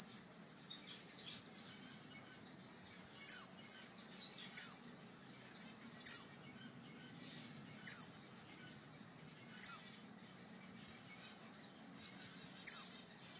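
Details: Star finch repeating a single high, sharp, descending call note six times at roughly one-and-a-half to two-second intervals, with a quiet low background hum between notes.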